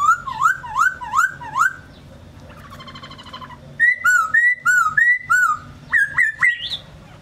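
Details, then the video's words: A laughingthrush sings rhythmic looping whistled notes four times, then a soft nasal rattle, then a repeated two-part whistled phrase, closing with rising slurs. "Chim Khướu"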